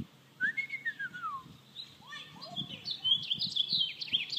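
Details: American robin calling back after a person's whistle: smooth human whistled slurs first, then rapid high, sharp, jittery chirps from the robin; faint low background rumble.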